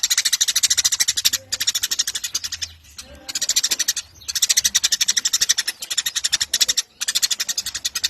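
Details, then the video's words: Eurasian tree sparrow in full lively song, a master recording for training contest birds; repeated bursts of quick, grating high chirps, each a second or more long, divided by short quiet breaks. "SUARA MASTERAN BURUNG GEREJA GACOR"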